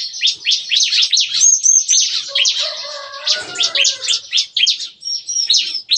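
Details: Lively morning song of bar-winged prinias in an aviary pen, likened to gunfire. Quick, high, rattled phrases repeat nonstop. Lower fluty whistles briefly overlap in the middle.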